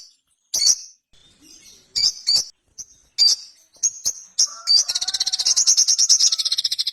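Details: Ruby-cheeked sunbird (sogon) starting with scattered high sharp chirps, then breaking into a long, fast, buzzy trill of rapidly repeated notes; faint lower whistles sound beneath.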